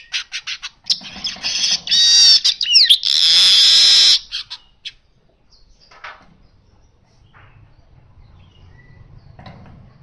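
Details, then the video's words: Baya weaver song: a few short chips, then harsh buzzy wheezing bursts with a sliding whistle, lasting about three seconds, followed by near silence with faint rustling. "Burung kicau Manyar gacor suara asli"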